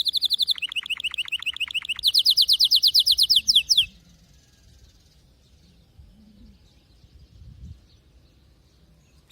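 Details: Canary trilling loudly for about four seconds, rapid clipped notes then a faster, higher rolling trill, after which only faint background hum remains.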